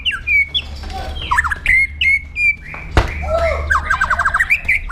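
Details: Varied 'pastol jahat' song of a white-rumped shama, an aggressive style used as a training model: sweet whistled slurs, a sharp click, then a quick rhythmic series of warbled notes.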